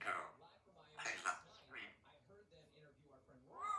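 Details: African grey parrot kept as a pet, talking indoors: bursts of speech-like chatter with harmonic whistled tones, ending in a rising whistle.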